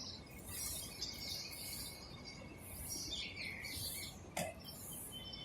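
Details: Sparrows chirping while eating food, several overlapping high, short chirps repeated in quick bursts throughout, with a steady low background hum and one sharp click near the end.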